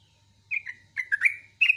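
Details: Sooty-headed bulbul singing in the morning: two short bursts of bright chirpy notes with a slurred falling phrase between them, separated by a brief pause, over a faint low hum.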